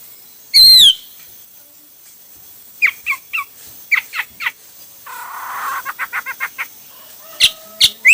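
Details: Hwamei giving one loud looping whistle, then scattered short sharp notes and a quick run of clipped chips, with a brief rustling sound in the middle.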